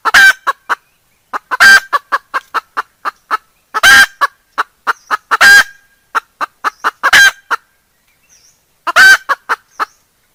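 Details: Decoy hen repeating the kataak cackle, 2021: runs of quick, sharp clucks, each bout capped by a loud harsh squawk, recurring about every two seconds.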